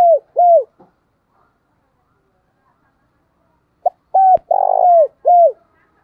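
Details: Cooing spotted dove, kept to draw in wild doves, 2023: two soft falling coos, a long silence, then a fresh phrase of a clipped note, level coo, rolling burred note and drooping final coo.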